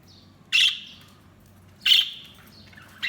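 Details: Budgies chirping: loud, sharp high chirps each followed by a trailing buzzy tail, three calls about one and a half seconds apart over quiet background.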